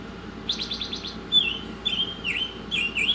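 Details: Tutor recording of an actively singing Oriental magpie-robin: a rapid series of six short trilled chirps, then ringing level whistles and swooping dipped notes with faint high accents, over a low continuous hum.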